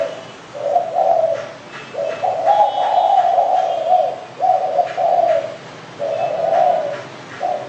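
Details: Spotted dove, known as derkuku, cooing in a chain of mellow low phrases of varied length, some faint clicks in the background.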